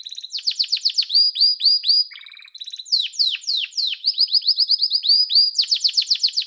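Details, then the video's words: Yellow domestic canary singing: fast rolling trills and repeated down-slurred notes, changing into a brief lower buzzy phrase, then bright rapid tours. No other sounds. "Muhteşem Kanarya Sesi: Sarı Kanarya'nın Efsanevi Ötüşü"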